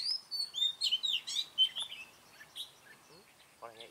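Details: Red-whiskered bulbul at a trapping site, recorded on 20 June 2018. Faint, distant song of bright warbled and slurred whistles, high and lively, with a short harmonic buzzy sound near the end.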